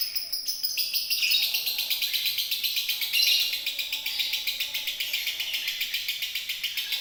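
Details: Loud, continuous konslet song of an Indonesian lovebird: rapid, evenly repeated high clicks and buzzy chatter with shrill whistled overtones, never pausing.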